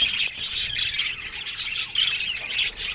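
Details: Colony of Australian budgies in an aviary: dense, continuous high chirping and warbling chatter from many birds at once, with scratchy squawks mixed in and no pauses.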